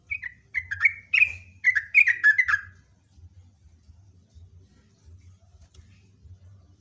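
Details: Loud sooty-headed bulbul song in a long rapid burst: about three seconds of bright, slurred chirps tumbling one after another, then only a low background hum.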